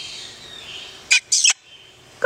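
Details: Yellow-collared miniature macaw kept as a pet, Paradise, California, July 2008: two short, harsh, noisy squawks in quick succession and a brief third at the close, between a woman's soft coaxing words.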